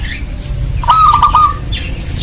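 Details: Actively singing local zebra dove, used as a lure for other zebra doves: a single fast, bubbling, beaded coo trill lasting about half a second, with low rumble and faint chirps around it.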